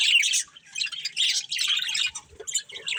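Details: Budgerigars, a breeding pair, chirp in dense bursts of high, scratchy warbling and squawky notes, with short pauses near the middle and end.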